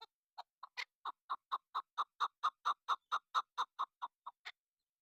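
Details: Female chukar partridge used as a hunting lure delivering a rhythmic chain of throaty chuk clucks, steadily louder toward the middle, then tapering, with one sharper higher note near the start and end.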